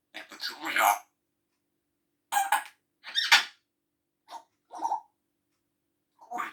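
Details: Talking grey parrot copying human laughter and coughing: harsh, broadband cough-like blasts separated by pauses of about a second, plus a few shorter squeaky notes.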